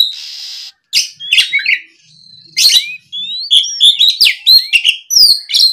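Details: Oriental magpie-robin provoked by a rival: opens with a harsh buzzy rasp, then a thin drawn-out whistle, followed by energetic bursts of slurred whistles and scratchy notes.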